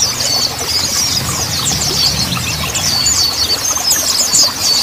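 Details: Mountain white-eye song: dense, high, thin chirps and twitters running almost without pause, with a low rumble underneath.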